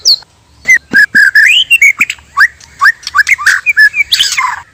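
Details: Natural song of male and female white-rumped shama, a trapping lure meant to make wild birds respond: a mix of whistled slurs, sharp clicks and rising notes, ending in a harsh chatter.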